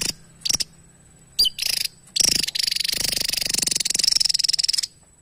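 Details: Javan tesia in lively song, meant for training other songbirds: a few high chips lead into a long, buzzy, rapidly pulsed high trill lasting several seconds.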